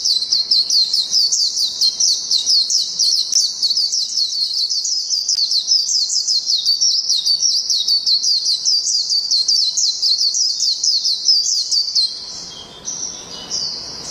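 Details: Long ngalas song of a Japanese white-eye: rapid high chirps strung together for about twelve seconds, roughly two notes per second in a wavering stream, then fading to quieter scattered notes at the end.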